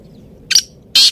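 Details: Black francolin voice, with a short, rasping double note followed after a pause by a longer, louder, harsh buzzy note over faint low background noise.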